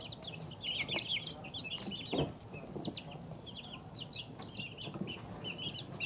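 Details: Two-week-old chicks peep in loud overlapping bursts, brighter early on, with a brief rustle or bump near the middle and a soft murmur in the background.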